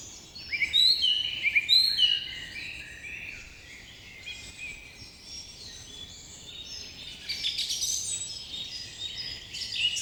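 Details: Morning birds chirping, with a few bright, clear whistled notes early on, followed by softer overlapping chirps and twitters that build again toward the end.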